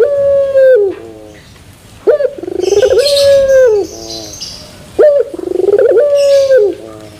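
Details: Turtle dove's long pelung coo with metallic terasan ending, two full cycles of falling note, trilled pulses and sustained flat tone, with brief high chirps of other birds behind.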